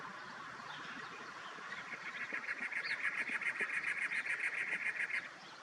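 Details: A Cactus Wren in the desert near Tucson, Arizona, in April 2023 gives its harsh, chugging song, a rapid run of rasping notes, about three or four each second, growing louder over several seconds against faint background hiss.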